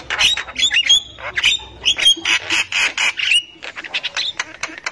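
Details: Javan myna, a female calling in the wild as a lure for young birds, delivering loud rasping squawks interspersed with brief clear whistles, in steady irregular bursts.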